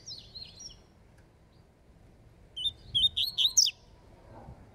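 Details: Double-collared seedeater, a spirited bird, singing the falcone song style while competing: a few soft high notes, a pause, then a loud burst of about six quick rising, slurred whistled notes repeated in close succession.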